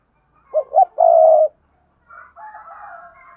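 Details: Decoy spotted dove cooing to lure wild doves: two short rising notes then a long, steady, low coo, followed by a softer, quavering coo phrase after a brief pause.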